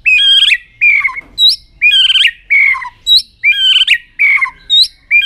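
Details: White-rumped shama singing an aggressive display meant to provoke other birds: loud slurred whistles rising and falling, repeated in short bursts about every 0.8 seconds with high upslurred notes between.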